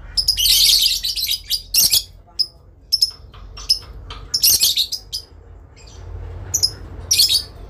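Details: Adult lovebirds answering and calling each other with long chattering, trading shrill, high-pitched bursts under a second each in quick back-and-forth exchanges, with a faint low hum underneath.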